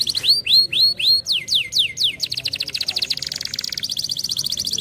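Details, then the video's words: Canary singing to encourage other canaries to sing, opening with rising slurred whistles, then a series of steep descending sweeps, then breaking into a long, rapid, buzzy rolling trill that holds steady to the end. "canários preguiçosos ouvem imediatamente este som"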